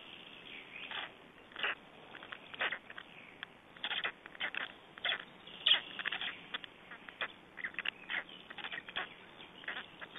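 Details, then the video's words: Black stork chicks being fed in Estonia, 21 May 2012. A long run of dense, hissing and rasping bursts, fast and uneven, rising and falling in loudness throughout. "Estonian Black Storks - Feedings-1"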